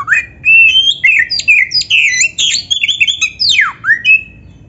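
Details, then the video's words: Oriental magpie-robin (kacer) in full song, played to prompt other magpie-robins to answer: a rich, varied stream of whistles, sharp downslurs and squeaky mimicked notes, rapidly delivered over a low steady background hum. "SUARA BURUNG KACER GACOR ISIAN JUARA ‼️ - Stel suara ini BIKIN KACER LAIN CEPAT NYAUT"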